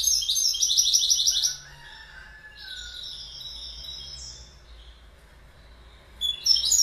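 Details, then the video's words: Goldfinch singing a fast, liquid twitter of high tinkling notes, then a quieter stretch of softer warbles and thin whistles, ending in a renewed bright burst. "Goldfinch Bird Sound"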